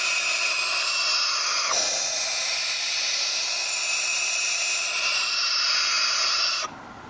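Barn owl owlets give long, rasping, breathy hisses, a steady wheezing screech that runs for seconds at a time before stopping abruptly.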